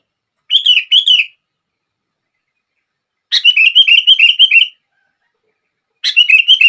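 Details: Sooty-headed bulbul song played to get other bulbuls singing: a short double phrase, then a longer run of about eight bubbly repeated notes, and a new phrase starting at the close.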